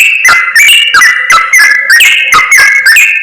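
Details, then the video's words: Trapping lure of yellow-vented bulbuls, used to call wild birds nearer: rapid bubbly whistled chatter, notes sliding up and down with crisp clicky attacks, loud and continuous throughout. "SUARA PIKAT BURUNG CRUKCUK/TRUCUK BUAT PARA PEMIKAT"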